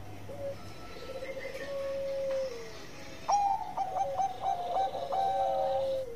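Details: Bangkok-type zebra dove singing actively, long-voice style, amid noticeable background hiss. Soft trilled notes and a lengthy falling tone precede a brighter phrase of several quick, bubbling coos ending on a sustained lowering note.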